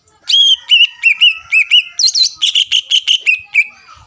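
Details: Greater green leafbird lure song for contest birds, a quick mix of curling whistled notes, a pair of higher chevron notes, then a rapid even series of chirps.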